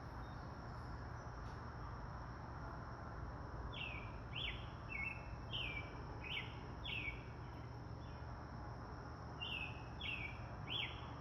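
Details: Outdoor birds chirping beside a road where cars drive by; after a quiet start, a run of short, bright, falling chirps comes in two bursts, roughly nine notes, above constant low traffic hum.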